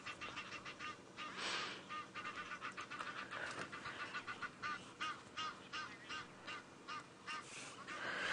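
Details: Egyptian geese calling during a sunset safari drive on January 13, 2017, seemingly as one is about to land where it should not; a rapid series of harsh, repeated honks and cackles, several birds overlapping, with a louder burst near the start.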